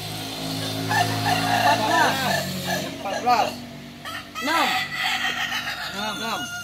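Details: Kokok Balenggek rooster crowing at a practice contest in Ampang Kualo, Kota Solok: a series of short arched syllables stepping along, over steady engine-like hum and people talking nearby.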